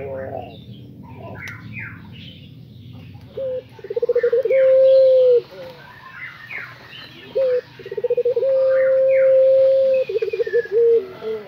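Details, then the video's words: Pelung dove (puter) singing strongly: two phrases, each a few clipped notes, then a loud sustained even coo closing in a trill, separated by pauses filled with scattered chirps and squeaks of other birds. "PUTER ISTIMEWA pelung jodoh | pelung gacor"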